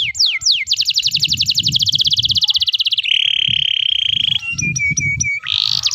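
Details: Canary song meant to draw young canaries into singing: a few falling whistles, a long fast trill, a steady flat tone, then short ringing notes and a rising sweep over low rumble.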